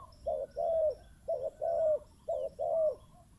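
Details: Decoy spotted dove cooing: three paired phrases, each a short hollow note followed by a longer, slightly falling coo, steady and low-pitched.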